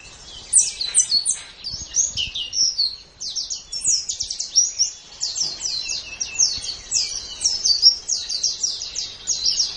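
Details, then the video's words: Continuous high-pitched warbling chatter of a white-eye, a master recording for training caged birds in the morning or evening. Quick descending notes tumble together with hardly a break. "Masteran Terbaik Pleci Mata Putih"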